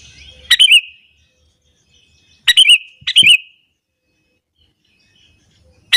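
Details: Sooty-headed bulbul singing energetically in the morning, a song meant to provoke other bulbuls into agitation. Three short, bright, chirpy phrases with sharp starts and quick downward tails, the last two close together, separated by silence.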